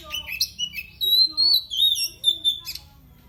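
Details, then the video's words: Owned oriental magpie-robin singing to provoke rivals: long, clear, sustained whistles that waver and slide, broken by brief chattering accents, loud and continuous throughout. "Kicauannya bikin musuh makin Emosi."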